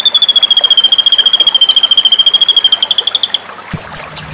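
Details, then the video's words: Murai batu, the white-rumped shama, singing a masteran series for contests: a long, rapid, steady trill of high pulsed notes that falls slightly and then rises, followed by a few short whistled slurs. "satu rangkaian masteran murai batu"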